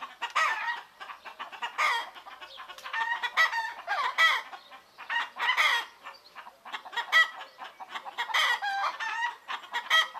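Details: Roosters crowing in the morning amid clucking hens in Greek nature, many overlapping harmonic calls in bursts, roughly forty per minute, no human noise.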